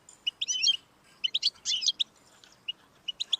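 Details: Short goldfinch song: tangled, buzzy twittering in two dense bursts, trailing off into a few isolated high chirps. Intended to stimulate a pet goldfinch to sing.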